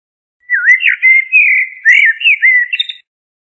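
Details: Continuous melodious whistling from a common blackbird (Turdus merula): one unbroken phrase of swooping, looping notes lasting about two and a half seconds, closing with a short rattle-like flourish.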